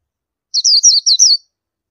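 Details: A tight, rapid burst of five or so thin, high, descending twitter notes from an Indian white-eye, lasting under a second, in silence.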